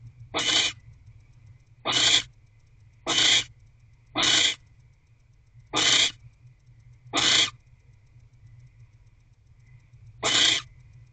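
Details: Barn owl, a female at a nest box holding her eggs, evening of 15 January 2024: seven rasping, breathy screeches spaced one to three seconds apart, with a longer pause before the last, over a faint low hum.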